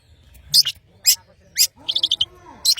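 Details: Long-tailed shrike from Madura, singing vigorously (gacor): loud harsh rasping bursts about every half second, then a quick run of short high trilled notes and a final rasp, with faint low sliding tones behind.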